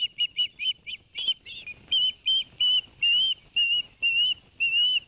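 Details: Ospreys at the Barnegat Light nest, 11 September 2021, after an adult male delivered two fish to the young: loud, high whistled chirps, rapid at first, then longer upslurred whistles repeated about twice a second.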